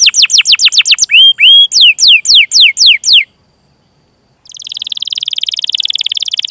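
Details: Canary singing a rolling training-lure song: a fast run of steep downslurred notes, a pair of hooked whistles, more descending slurs, a short pause, then a dense buzzy trill.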